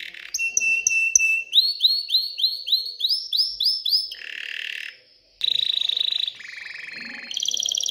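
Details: Canary song, excited, meant to stimulate females to mate and build a nest: steady whistled tone, a string of upswept repeated notes, a short gap, then varied trills at shifting pitches.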